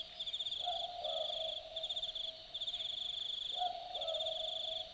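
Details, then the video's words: Two low boo-book hoots from an Australian boobook at night in Dharug bush, about three seconds apart, each with a slightly lower second syllable, beneath loud chirping, pulsed night insects. "Boobook Owl Call - The sounds of an Australian Boobook calling at night"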